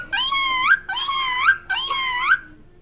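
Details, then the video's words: A talking myna repeats the phrase "allah toba" three times, each a rich, nasal, upward-sliding sound lasting about half a second, in a quiet room. "Myna bird talking | प्यारी मैना पक्षी गाना गाते हुए"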